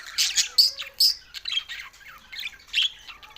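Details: Budgerigar song, a lively run of sharp chirps and high squeaks, about two to three notes per second, with scratchy warbling between them.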